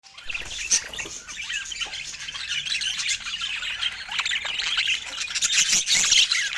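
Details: Pet budgerigars sharing fruit, chattering together in a dense, continuous stream of high warbles, chirps and scratchy squawks with no pauses, growing a little louder near the end.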